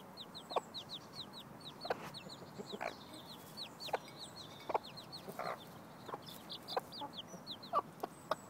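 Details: Mother hen teaching her chicks how to look for food, recorded May 16, 2012: steady stream of high, downslurred chick peeps with short low clucks from the hen scattered every second or so, plus faint scratching.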